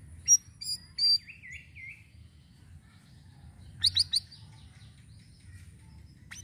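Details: Sirisiri bird song used as a lure for other birds: sharp high chips, then a wavering buzzy trill for about a second, then a quick burst of bright twittering notes. A steady low hum runs underneath.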